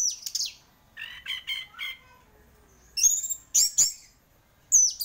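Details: Orange-headed thrush, a champion singer, in energetic song: high whistled notes, then a stuttering run of mid-pitched buzzy chips, a brief pause, and loud piercing whistles in three bursts.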